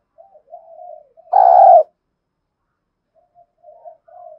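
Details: Spotted dove, 'thổ' voice type, giving contest cooing: soft introductory coos, then one loud hoarse coo, followed by a pause and a few more quiet notes.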